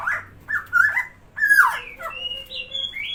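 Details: Tame, vocal Helmeted friarbird (Philemon buceroides, called koak kao in West Nusa Tenggara) giving loud, harsh, gurgling notes that bend up and down, then clearer rising whistles, in bursts about a second apart.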